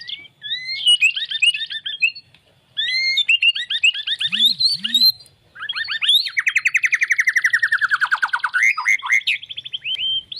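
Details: Murai batu, the White-rumped shama, delivering varied phrases of quick slurred whistles, then a long, fast trill of repeated notes that drops steadily in pitch, then bright whistles again.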